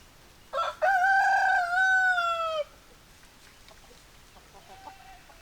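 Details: Rooster crowing once: a loud harmonic call with a brief opening note, then a long sustained level cry of about two seconds that falls slightly at the end, followed by quiet with faint distant clucks.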